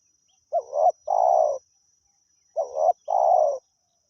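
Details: Spotted dove, a decoy bird used for luring wild doves, calling steadily: two hoarse cooing phrases, each a short wavering note then a longer falling coo, about two seconds apart, over a faint constant high whine.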